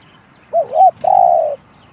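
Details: A spotted dove coos in the one-kook, big-voiced style: a quick double-humped opening, then one long, even coo with a throbbing start. Soft low background rumble.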